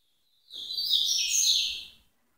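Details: Tui-tui style song of a double-collared seedeater, a dense burst of high, rapid twittering and sweeping notes lasting about a second and a half over faint low background rumble.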